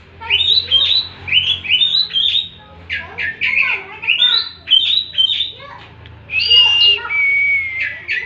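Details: Oriental magpie-robin singing in a training recording for kept birds: dense, harsh chattering and squawky phrases mixed with whistled notes in rapid bursts, ending with a sustained high whistle.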